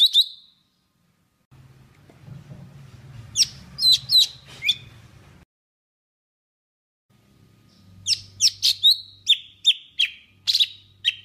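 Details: Golden-fronted leafbird singing, used as a lure call, Vietnam: sharp, high chirps and quick sliding notes in two lively bursts, broken by short pauses over a low background hum.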